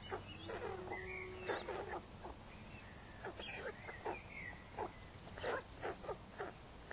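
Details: A parent white stork arrives at the nest clattering its bill in short, dry, wooden rattling bursts, repeated in uneven runs, bringing food, over a steady low background hum.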